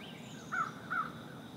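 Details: Green heron (Butorides virescens) stalking in the shallows of a pond gives two short, harsh, downslurred notes about half a second apart over a steady low background hum.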